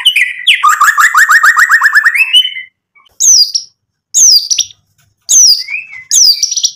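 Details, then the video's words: White-rumped shama singing to stir up rivals: a fast rattling trill, then clear whistled, downward-sweeping phrases separated by short silences. "MURAI BATU GACOR bikin EMOSI lawan jadi NYAUT"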